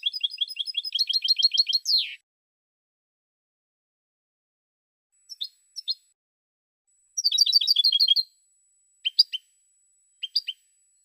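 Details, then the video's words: A European goldfinch sings in 2016: a quick chain of high chirps ending in a descending buzzy sweep, followed after a pause by scattered single notes and another short tinkling burst. "Cante De Jilguero"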